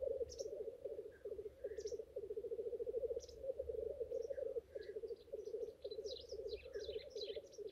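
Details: Courting black grouse males at a lek keep up a pulsed bubbling chorus, while many quick high chirps from other birds build up toward the end.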